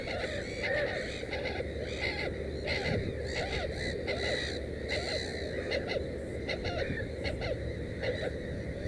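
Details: Nest of a black-headed gull with three chicks: frequent short, breathy, harmonic calls, several a second at times, over steady low background noise.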